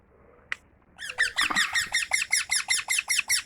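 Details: A tame mithu parrot starts with one sharp click, then breaks into a steady train of loud, raspy chirps, about two and a half per second, each with a bent harmonic shape.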